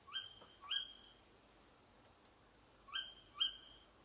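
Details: Tawny owl calling behind a house at 4 a.m., giving sharp, shrill notes in two quick pairs, each pair about half a second apart, against a quiet night background.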